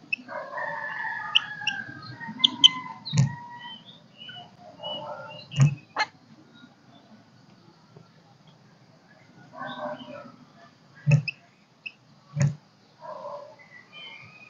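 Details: Golden-crested myna kích bổi song, made of bursts of warbled mid-pitched notes alternating with loud, sharp, broadband clicks, separated by near-silent gaps, over a low hum.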